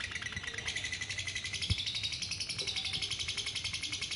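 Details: Female lovebird in a long unbroken trilling song, fast regular pulses at high pitch throughout, with faint low background rumble and a soft knock partway through.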